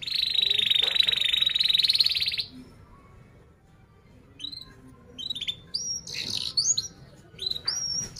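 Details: Canary's tight roll meant for tutoring young canaries: a loud, steady buzzy trill lasting about two seconds, followed by quieter scattered chirps and short whistled notes over a faint background hiss.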